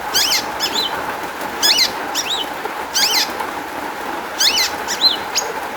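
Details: Long-tailed shrike singing, played to coax other shrikes into song: loud clusters of stacked harsh, rasping chevron notes about every second, interspersed with short whistled slurs over faint hiss.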